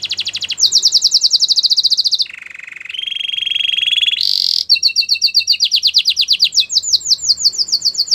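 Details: Singing canary meant to coach other canaries: fast high trill, a low rolling tour, a steady buzzy tone, a brief harsh burst, then rapid repeated upswept notes high in pitch.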